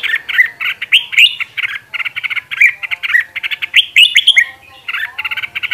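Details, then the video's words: Group of red-whiskered bulbul decoy birds singing intensely for voice training; dense, overlapping whistled phrases and quick chattering notes with almost no pause. A faint low murmur sits in the background. "Luyện Giọng Chào Mào Mồi - Chào Mào Giàn Đạt Căng Lửa"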